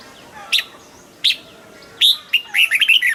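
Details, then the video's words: Caged red-whiskered bulbul singing in the double style: two isolated sharp whistled notes, then a loud whistle leading into a rapid, rollicking run of warbled notes. "นกปรอดหัวจุก นกปรอดหัวจุก เสียงนกกรงหัวจุก ขวัญใจสายเบิ้ลอาชีพ"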